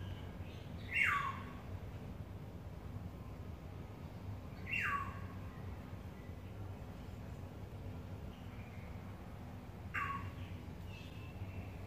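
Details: Yellowbird during courtship calling three times, each a quick downward-sliding whistle, at uneven gaps of several seconds, against low-pitched ambient noise.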